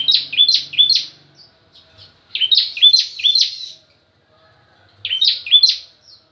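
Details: Bar-winged prinia song with a variation from another bird: three bursts of high, bright, rapidly repeated chirping notes, separated by short pauses.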